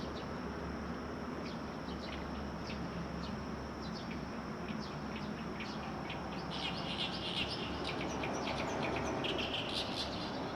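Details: Small songbirds singing in early morning from trees along a riverbank: rapid high chirps and trills, busier toward the end, over a steady broadband rush of flowing water.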